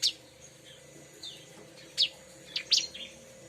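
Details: Bar-winged prinia (ciblek) notes for luring the species: a handful of separate high, sharp chips spaced about half a second to a second apart, with faint softer notes between them.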